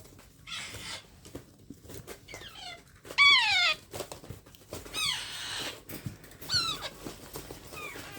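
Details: Hand-fed baby parrot repeats harsh, nasal, downward-sliding cries, three prominent ones spaced one to two seconds apart, each rich in overtones, with quieter squeaks and handling clicks between.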